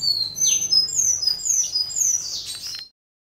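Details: Territorial song of a western citril: a quick run of high, thin whistled notes and short downslurred chirps, tumbling on for nearly three seconds before stopping abruptly, with faint low hum beneath.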